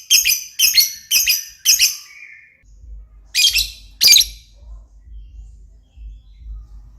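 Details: Lovebird, described as a top-quality, highly vocal singer, giving loud harsh squawking bursts in rapid groups of four, then a pause and two more bursts, with low background rumble.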